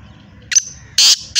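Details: Black francolin (kala teetar) kept as a hobby bird in Hyderabad, Sindh: after a short quiet stretch, a sharp high note followed by two loud, harsh, grating bursts.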